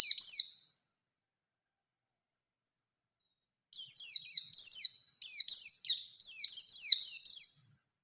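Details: Singing Oriental white-eye, recorded to spur another bird to respond as to a rival: a brief high twitter, a long silence, then four quick bursts of rapid, shrill, descending chirps in close succession.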